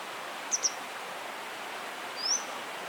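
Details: Grey wagtail (Motacilla cinerea) calling: a sharp, high double 'tzit-tzit', then a single thin rising note a moment later, over a steady rushing hiss like flowing water.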